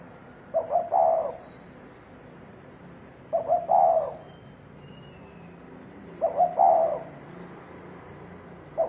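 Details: Spotted dove in 'thổ đồng' style, fighting and provoking males: mellow rolling coos repeated about every three seconds, each a brief lead-in note followed by a longer throaty phrase, over a quiet hiss.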